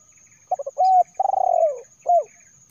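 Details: Spotted dove recording used as a lure for wild birds: two short clipped notes, a level drawn-out coo, a rolling pulsed coo that slides downward, then one final curved coo; quiet background.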